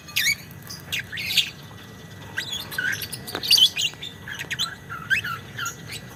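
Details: Caged young lovebird giving the long 'ngekek' chatter song used as a training recording for other birds: harsh, squeaky high chirps in short clustered bursts, with a steady low background hum.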